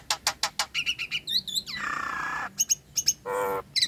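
Nias hill myna giving a rapid, varied song: sharp clicks and chirps, a long rising whistle, a harsh buzzy rattle, and loud piercing whistles.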